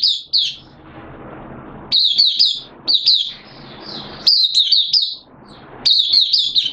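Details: Oriental white-eye, a caged songbird, singing 13 September 2022 on the second day of monthly deworm medication; clipped high warbling phrases about every second, with short silences between bursts.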